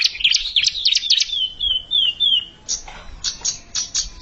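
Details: A bar-winged prinia challenging a rival: quick jumbled high chirps, then three drawn-out, slightly falling whistled notes, followed by a few spaced, clipped high calls.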